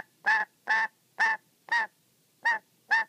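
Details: Six loud, grating honk-like squawks in a steady run, roughly two per second, from a pet black-capped lory that is cross and on guard while its favourite sock is played with.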